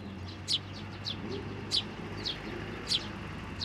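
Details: Sparrows come onto a hand for food at a Tenmangu shrine, 18 May 2024, in the nestling-feeding season. Sharp, high chirps sound singly about every second against a steady low hum.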